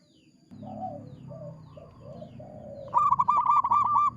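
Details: Zebra dove of local stock, a lure bird known for a big voice: soft, low arched coos for a few seconds, then a sudden loud rapid stutter of short clipped notes.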